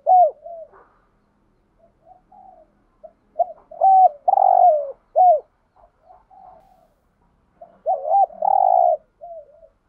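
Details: Spotted dove full song set used to stimulate other doves, with thúc gù, gáy gọi and đảo bài styles: deep mellow hooted coos, some rising then falling, in clusters separated by brief pauses, plus softer short coos between bursts.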